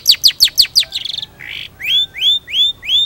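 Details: Long-tailed shrike singing actively: a quick run of falling chirps, a short buzzy trill and a harsh rasp, then four clear rising whistled notes evenly spaced.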